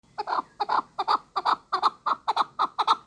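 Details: Chukar partridge kept as a hunting bird, giving a steady series of paired chuk notes, each double note about a third of a second apart, with strong midrange harmonics and a quiet background.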